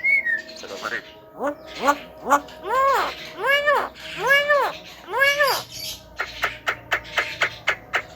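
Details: Javan myna known for copying frog, duck, greeting, cough, ice-cream seller and a call to girls. A single whistle opens a run of about seven arched, nasal harmonic notes, then a burst of short, sharp clicks.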